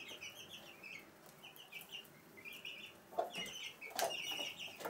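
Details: Hen with her chicks indoors in a house room at Sandoval de la Reina, April 2016; chicks keep up a busy stream of thin high peeps while the hen adds two short low clucks near the end.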